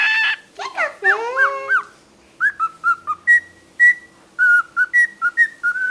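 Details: Pet cockatiel known for talking a lot: rough throaty chattering phrases at first, a short pause, then a rapid series of clean whistled notes alternating between two pitches.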